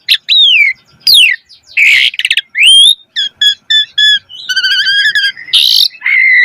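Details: Caged-bird training lure of an Asian pied starling singing: swooping downward whistles, a harsh rasp, an upward-curling whistle, clipped repeated notes, a long harmonic warble, and a loud harsh squawk before a steady final whistle.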